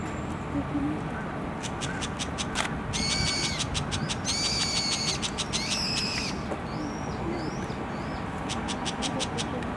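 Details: A young brown shrike (probably, per the recordist), hand-held recording, 20 February 2016, gives rasping, harsh notes in short bursts, with fast dry ticking rattles and a few thin high slurred notes, over a low rumbling background.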